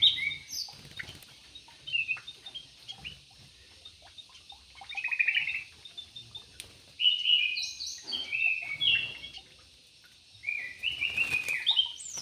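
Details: Javan pied starling, known locally as jalak uret or suren and said to be a skilled dancer, uttering scattered short squeaky and chirping notes in several separate bursts with quiet pauses between, over faint background noise.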